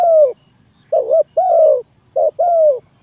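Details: Lure call of a spotted dove for trapping: the tail of a long falling coo, then two rounds of a short wavering coo leading into a drawn-out croo that drops slightly in pitch.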